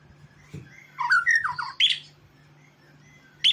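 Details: White-rumped shama, a murai from Medan, used as a training recording for other birds, sings short varied phrases of sweet slurred whistles and bright sharp notes, with a steady low hum behind.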